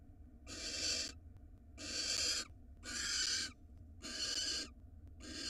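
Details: Female barn owl in Israel gets a rat from her mate; she answers with a regular chain of harsh hissing screeches, each under a second, filmed on a nest box camera.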